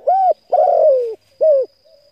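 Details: Spotted dove calling to rouse decoy birds: an arched coo, a long rough coo drifting down in pitch, then a brief rounded coo, all loud and close. A thin constant high tone sits in the background.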